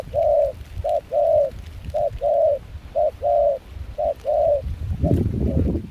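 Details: Spotted dove decoy, wild-caught, mixed foreign voice, cooing in cold wind and rain in Kon Tum, Vietnam: five even two-part phrases, a quick hoot then a fuller sustained one, about a second apart, ending under a burst of rumbling noise.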